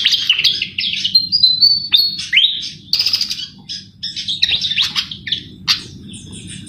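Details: Javan flycatcher (sikatan jawa) singing vigorously, played as a trapping lure: bright whistled slurs and rapid high chirps in clustered bursts separated by brief pauses, low hum beneath.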